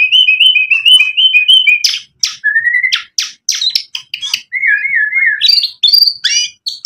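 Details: White-rumped shama song played to make other birds answer: a chattering trill of quick notes, then varied whistled phrases broken by sharp buzzy clicks, ending in rising warbled notes.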